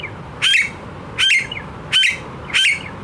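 Blue-faced honeyeater giving four loud, harsh, slightly squeaky calls, each about a fifth of a second long, spaced under a second apart, over faint low background noise.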